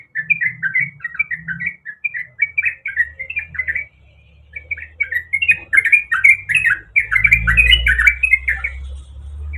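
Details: A female sooty-headed bulbul in heat calls for a male, giving rapid chattering, slightly harsh whistled notes in quick succession, with a low rumbling hum entering the background midway and growing louder toward the end.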